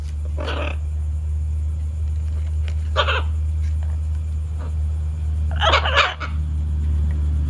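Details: A hormonal macaw with another, indifferent macaw: three short, harsh, noisy squawks spaced a few seconds apart, the last a doubled burst, over a constant low droning hum.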